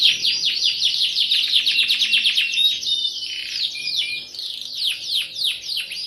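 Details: Canary in energetic lure song of the chirping, rapid-fire style: fast runs of high downslurred chirps, nearly three per second, merging into trills and a few clear whistled notes, bright and continuous throughout.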